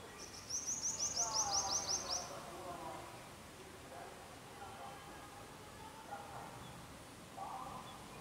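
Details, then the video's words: Purple-rumped sunbird singing a quick, thin run of about a dozen high, sharp notes lasting under two seconds, with faint lower voices or calls murmuring behind it. "purple rumped sunbird singing"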